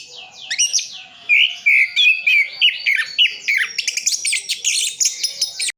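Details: East Java, Sidoarjo: orange-headed thrush singing a full filled-in song, a run of clear slurred whistles followed by dense high chattering and rapid varied notes, about three phrases each second.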